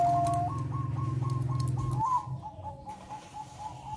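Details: Bangkok-type zebra dove singing a melodious song meant to raise breeding urge: a loud low droning hum fills the first half, then a quick run of short, evenly spaced mid-pitched cooing notes follows, softer and more distant.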